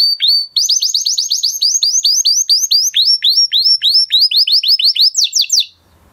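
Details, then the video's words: Male canary delivering a long series of quick downward-swept whistled notes, about five each second, growing slightly in emphasis, then a brief faster flourish before silence. "Beautiful canary song اواز زيباي قناري نر مست"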